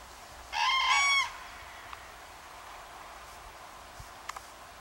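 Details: Common crane pair that summered near Banneick, Wendland, Lüchow-Dannenberg in northern Germany, trumpeting on 17 September 2013 to cranes flying over toward winter quarters; one loud, harmonic, level trumpet lasting under a second, then faint clicks over quiet background hiss.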